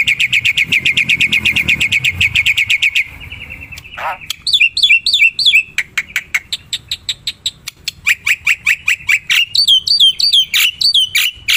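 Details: Black-winged myna in the wild, used to lure birds: a fast run of sharp chirps, a short buzz, then varied loud notes, downward swoops and clicks in irregular bursts.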